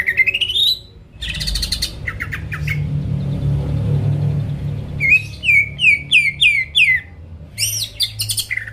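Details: Greater green leafbird in full song, used as a lure to provoke rival birds into singing: a rising whistle, then buzzy chattering phrases, a low humming pause, and a run of quick downward-slurred whistles repeated about three per second.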